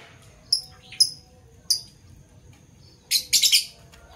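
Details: Parblue violet and parblue turquoise Fischer's lovebirds, pet birds heard in the morning: three separate piercing high chirps, then a dense burst of harsh shrill notes after a short pause.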